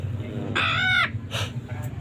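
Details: Green parrot giving a loud, drawn-out, nasal squawk of about half a second. A shorter, harsher squawk follows, then a brief clipped note.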